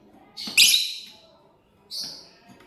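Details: Lovebird eating corn, letting out a loud, rasping, high shriek followed about a second and a half later by a shorter, softer squawk.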